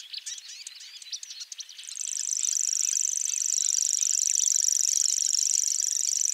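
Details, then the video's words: Scattered quick, high chirps and twitters give way after two seconds to a grass warbler's loud, continuous, fast-pulsed high reeling trill that carries on to the end. "Grass warblers. Birds singing. Unusual bird chirps"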